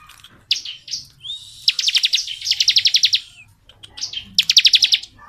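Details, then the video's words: A bar-winged prinia delivers long continuous ngebren song, a rising whistle leading into a run of rapid clipped notes, then a pause and another quick burst. "BURUNG CIBLEK NGEBREN PANJANG"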